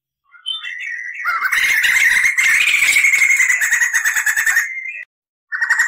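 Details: Crested laughingthrush in tutor recording for cage birds, delivering a long clear roll: a rapid, even, chattering trill sustained nearly four seconds after a few lead-in notes, then a brief pause and another note.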